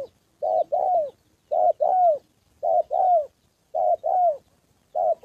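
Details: Trained spotted dove decoy calling during a practice bout with a wild bird: five evenly spaced pairs of soft low coos, each second note longer and dipping at the close.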